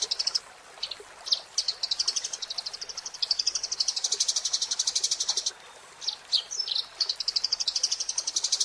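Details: Eurasian tree sparrow, a master recording for training songbirds: several bursts of rapid high chirping, each lasting one to two seconds, separated by short pauses with a few louder isolated notes mixed in.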